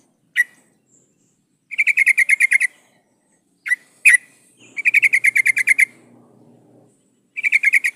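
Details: Breeding-condition female sooty-headed bulbul calling to attract a male, giving quick rattling series of sharp chirps, six to ten notes per burst, with isolated single notes between bursts and a faint low hum beneath.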